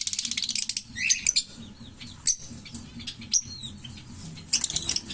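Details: Green Fischer's lovebird pair chirping: a rapid rattling burst opens, followed by scattered sharp high chirps and squeaks with pauses, then another quick rattle of notes at the end.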